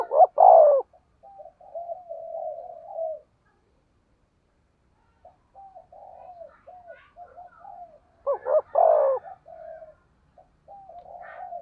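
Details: Spotted dove calling in the thunder-voiced style, a lure for stimulating other doves: loud guttural coo bursts followed by a low rolling string of soft coos, a pause, then the pattern again.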